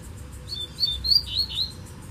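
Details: Double-collared seedeater heard far off in bamboo, a short run of thin, high, slurred whistles rising and falling in quick succession over a low rumble.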